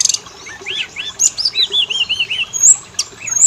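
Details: Oriental magpie-robin song used as a lure for singing males and females: a row of arched, slurred whistles at steady pace, plus sharp high notes and a brief rattle at the start.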